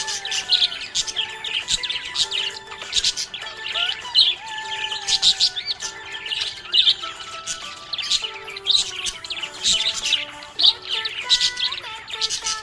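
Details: Budgerigar described as happy, chattering continuously in quick bursts of buzzy, twittering notes, with a low sustained melody running beneath.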